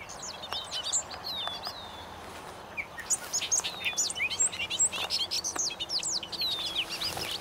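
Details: Bobolinks in a meadow, a rapid bubbling jumble of varied metallic, tinkling notes and slurred whistles, rising in bursts after a quieter opening, with steady background hiss.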